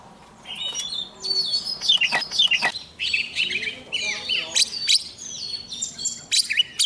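Oriental magpie-robin in full song: rich, varied whistled phrases with quick upward and downward sweeps, delivered almost without pause and high-pitched throughout.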